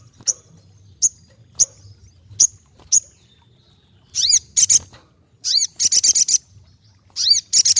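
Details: Ruby-cheeked sunbird singing: a series of five evenly spaced high chips, then arched slurred whistles mixed with bursts of fast buzzy trills.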